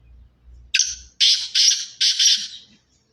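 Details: Black francolin of pure Sindhi stock giving a harsh rasping call of four grating notes, the last two joined, after soft low thumps.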